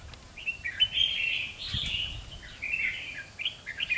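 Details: Young wild-caught red-whiskered bulbul, two months old, singing in display: loud warbled, slightly buzzy phrases at mid-high pitch in runs of about a second, with a faint low rumble beneath.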